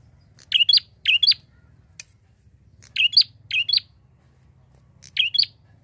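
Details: Chatty prinia call played to draw other birds into calling. Bright, high paired chirps come in loose bursts: two quickly, then a pause, two more, and a last pair after another gap. A soft click in the middle and a low background hum.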